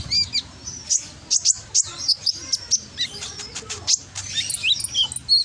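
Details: Brown-throated sunbird (konin) from Gresik, East Java, in a loud lure song meant to make lazy birds answer. Quick high ticks and thin, slurred whistles repeat in lively runs.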